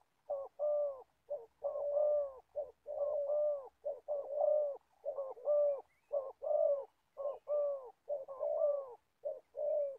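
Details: Spotted dove kept as an old decoy for trapping wild birds, Gia Lai, cooing without a break: around eight short-long coo pairs in quick succession, mellow and low, with faint low rumble beneath.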